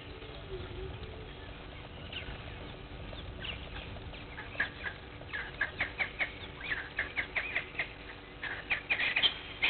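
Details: Blacksmith lapwing at Gowrie dam waterhole, Djuma Game Reserve, Sabi Sand Wildtuin, South Africa, at 06:45 on 03/02/21, on a live waterhole camera: sharp metallic clinks quickening into a rapid run over the second half, over low background hiss.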